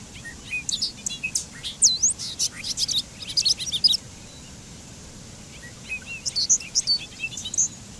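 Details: Bobolink pouring out a long, rapid, bubbly song of tumbling metallic notes rising and falling in pitch for about four seconds, a short pause, then another jangling burst, with faint background hiss.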